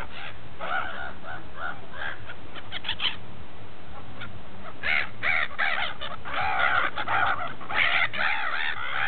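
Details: Feeding gulls at Repino, near St. Petersburg: scattered harsh cries building into a dense, overlapping chorus of squealing calls, over continuous low rumbling noise.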